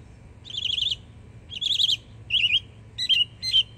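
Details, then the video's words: Yearling Northern mockingbird singing in Florida: warbled trilled phrases about half a second long, separated by short pauses, then shorter buzzy notes at the close. "Yearling Florida Mockingbird Goes Hard 🎶💯 Beautiful Songs"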